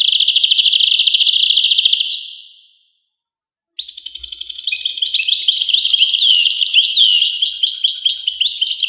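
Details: European goldfinch: a buzzy trill fading out, about a second of silence, then a long, bright, rapid twittering song phrase full of tinkling notes.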